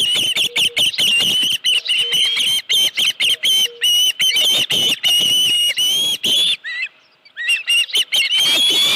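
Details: Osprey at its nest on a ranch, 31 July 2018 around 9:43 in the morning, with a headless fish: loud, rapid, high whistled chirps repeated almost without a break, a brief quiet gap near the end, then chirping again.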